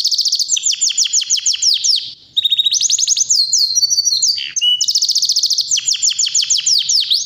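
A Yorkshire canary sings loud, continuous song of rapid trills, rolling chops and high whistled sweeps, barely pausing for seven seconds.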